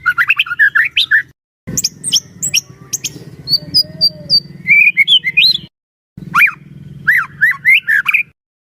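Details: Kept White-rumped shama singing loud, varied phrases: rapid chattering bursts, sharp rising and falling whistles and high thin notes, broken by two brief silences, with a low rumbling hum underneath; the bird is used as a trainer to make other shamas sing.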